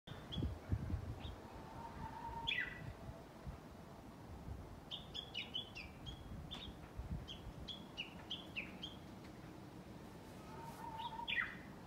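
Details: A Japanese bush warbler on 11 March 2020 sings its long, level whistle and quick downward flourish twice. Thin, high chirping notes fill the gap, over steady low rumbling noise.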